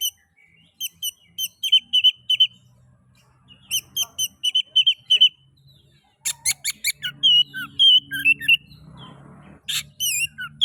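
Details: Oriental magpie-robin (kacer) song played to prompt other magpie-robins into singing: short bright whistled notes repeated in clusters, sharp chips, and a faint low hum underneath.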